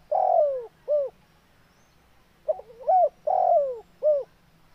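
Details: Spotted dove cooing energetically: two phrases, each with a stuttering rising lead-in, a loud drawn-out descending coo, then a short arched final note, with quiet low hum beneath.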